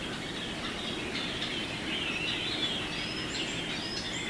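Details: A large flock of Japanese grosbeaks, roughly fifty birds, clamouring unseen in bamboo at a forest edge beside houses in Hiroshima, Japan, March 2018; continuous busy chirping chorus with scattered clear, slurred whistles rising above it.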